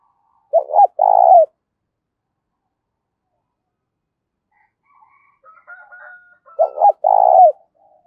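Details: Spotted dove giving fight-provoking cooing for luring rivals: two strong phrases, each a stammered double note then a sustained purring coo, with a faint higher chirping between them.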